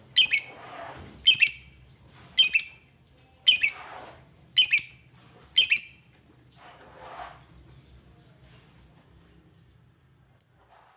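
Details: Shrill, raspy chirp bursts from a lovebird said to call seldom. Six evenly spaced bursts about a second apart are followed by a few fainter chirps, then near silence with faint low hum.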